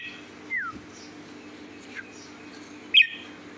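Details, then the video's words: A red-whiskered bulbul sings sweetly, giving a smooth descending whistle, a pause, then a sharp bright double note, with a soft hum underneath. "chào mào hót giọng hót ngọt lịm"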